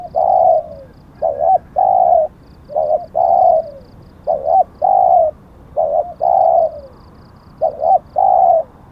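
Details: Spotted dove, a decoy bird, singing a run of about six low coo phrases over nine seconds; each pairs a short wobbling note with a sustained coo, several sliding down at the end.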